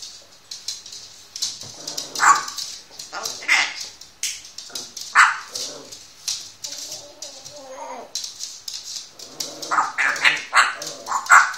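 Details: A one-year-old pet grey parrot talks in short, human-like German phrases with rising and falling inflection, broken by sharp clicks and a few bark-like yelps.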